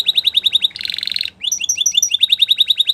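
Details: Canary song for training: quick repeated chirped notes, a dense buzzy roll in the middle, then a brief pause and more rapid, evenly spaced chirps and slurred whistles.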